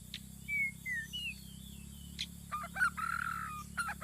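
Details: White-rumped shama song serving as a trap lure: clear whistled notes dropping and rising in short phrases, followed by harsh buzzy bursts and chattering, with a constant low hum underneath.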